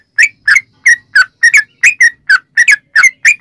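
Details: Sooty-headed bulbul singing, played to draw other bulbuls into song: clear, punchy whistled notes, often doubled, given roughly every quarter second in a lively, uneven rhythm.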